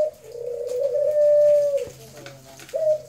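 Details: A long, even, humming dove coo holds a steady pitch for nearly two seconds, then drops away, with the start of another coo after a short gap.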